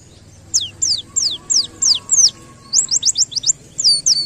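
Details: White-eye singing in the ngalas style with canary-like bursts, heard in a masteran tutor recording: a series of sharp, high downslurred whistles, then quicker clipped notes and a final pair of slurs, over a faint low hum.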